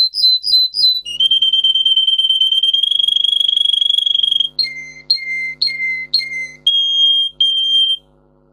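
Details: Russian singer canary song for teaching canaries: a few quick chirps lead into a long vibrating pure whistle, followed by evenly spaced dipping two-part notes and short steady tones, with a faint hum beneath.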